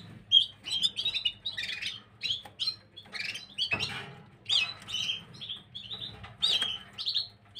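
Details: Gloster canaries singing, recorded 9 January 2023: rapid bursts of high twitters and trilled chirps, densely packed and overlapping, separated by short gaps, over a steady low background hum.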